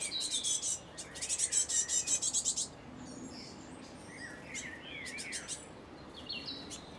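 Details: Fledgling great tit begging for food in Cambridge, UK, on 28 May 2019 at 1:22 pm; rapid buzzy, harsh notes repeated in a fast run for nearly three seconds, then scattered softer chirps.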